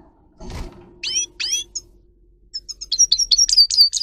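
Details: Grey-crowned goldfinch song used for training: after a brief thud, two bright downslurred calls, then an accelerating sequence of high twittering notes and clear slurred whistles.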